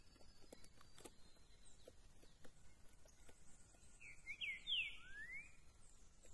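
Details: Green-winged saltator (Saltator similis) singing on 13 September: a brief, clear whistled phrase of four or five quick swooping notes near the end, over scattered clicks and a low background hum.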